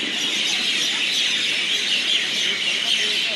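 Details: Night roost of mynas at Pathankot Railway station: many birds chattering at once in an unbroken, high-pitched clamour of squeals and chirps, with a few lower clucking notes scattered through the steady din.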